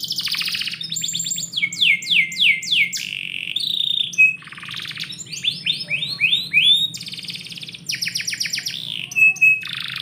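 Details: A canary sings indoors in the morning, a long varied sequence of fast trills, falling whistle series, brief pure tones and buzzy rolls, with quiet low hum throughout.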